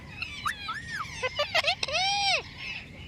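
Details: Talking parrot: a quick string of bending, whistled and voice-like syllables, rising and falling, ending in a long arched tone, over a low background hum.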